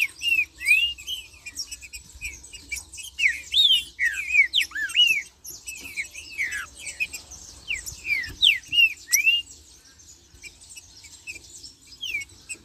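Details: Green-winged saltator (Saltator similis) singing rich, looping whistled phrases, rising and falling, in quick bursts about every second or two.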